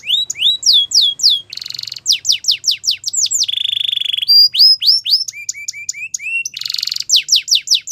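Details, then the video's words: Belgian canary's morning song, mixing quick downslurred whistles, buzzy rattling trills, a held whistled tone and a run of short rising chirps. "Canary Singing In The Morning | Belgian Canary Song"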